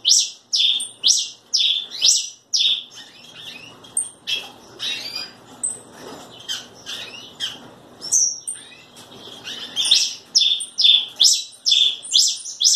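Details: Red pileated finch singing a steady run of sharp, high chirped notes, about two per second, in short series separated by softer gaps.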